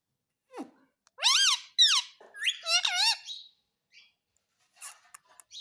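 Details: Indian ringneck parakeet mimicking the words "mummy mummy": after a short downward squeak, several harsh, strongly inflected syllables follow in a two-second run, then sparse faint ticks.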